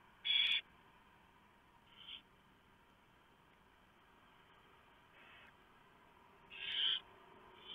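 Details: Barn owl nest at night, 3 November 2015, male delivering a large mouse for the owlets; two strong rasping hisses at the start and near the end, with fainter hisses between and faint clicks.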